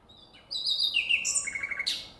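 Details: Nightingale song outdoors in nature: a long, sweet whistle sliding downward, a high ringing note, then a short run of quick repeated lower chirps ending in a sharp, bright accent.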